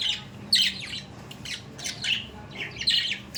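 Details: Indoor pet budgerigars chattering: short rasping squawks and warbled chirps in clusters every half second or so, in a small room.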